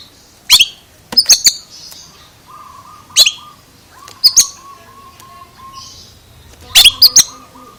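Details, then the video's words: Odd vocalizing by an Oriental magpie-robin: clusters of sharp cracking chips every one to two seconds, with a low, slightly wavering whistled tone running beneath for much of the recording. "Suara ANEH Kacer ini Bikin HERAN"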